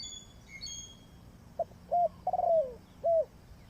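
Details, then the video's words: Spotted dove decoy for trapping coos after a few high thin chirps from another bird. The dove's phrase has short low notes around a longer descending trilled coo. "Sound Of Spotted Dove is so good"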